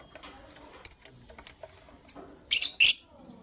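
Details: Pet lovebirds, a Creamino with a Lutino Opaline, in the morning: a series of short, sharp, high chirps spaced about half a second apart, ending with two louder, harsher bursts.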